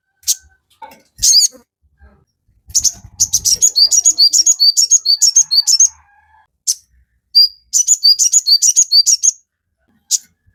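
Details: Recording of a sogon for teaching captive birds to sing and focus. Scattered sharp chips lead into a long, fast series of high twittering notes, a pause, then another shorter twittering run and lone chips.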